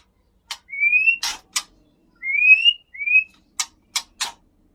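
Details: Caged Aceh white-rumped shama from the Leuser mountains: smooth upslurred whistles, two close together, mixed with crisp ticking clicks in short series.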